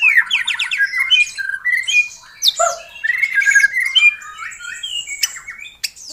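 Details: White-rumped shama in lively gacor song, used as a lure to spur a silent captive bird: varied whistled phrases, quick stuttering trills and rising and falling notes, with a low harsh note partway through.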